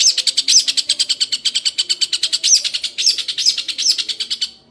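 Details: Long, harsh ngekek chatter from a young Long-tailed Shrike: fast, grating pulses about six per second, with a few sharper whistled accents, ending abruptly.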